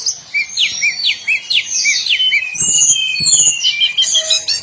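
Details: Hill blue flycatcher song: a rapid sequence of high, sweet whistled phrases with sliding up-and-down notes, followed by longer thin whistles and faint clicks in the background.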